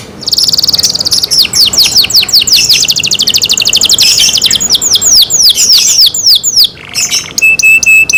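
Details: Kept canary singing loudly: fast series of repeated high downward-sweeping notes forming rolling trills, changing to other syllable types, ending with a few short steady whistles.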